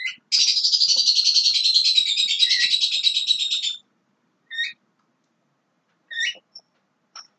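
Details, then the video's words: Young Javan myna delivering a loud, harsh, buzzy rattle lasting over three seconds, then a few short separate whistled notes with pauses. "JALAK KEBO MUDA"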